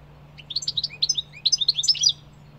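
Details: European goldfinch giving a lively rippling song of quick high chirps and twangy slurred notes, delivered in one continuous two-second burst, with a faint background hum.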